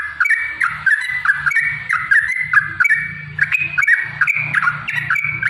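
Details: Yellow-vented bulbul lure song, 'ropel panjang' style, meant to stimulate caged birds to answer: rapid, bubbly whistled phrases repeated about twice a second, rising and falling, over a steady low hum.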